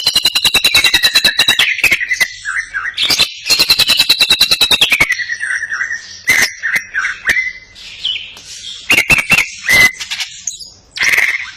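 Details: Greater green leafbird singing a lively 'isian cililinan' style song with crest raised: clear whistled phrases near the upper middle range, wavering and sliding down, broken by fast bursts of sharp, rattling clicks in rapid series.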